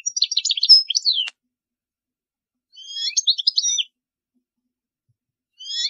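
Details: Goldfinch song used to tutor young birds, delivered in three bursts: a dense, liquid twittering phrase ending in a sharp click, a long silence, a second jangling phrase, then the start of a third.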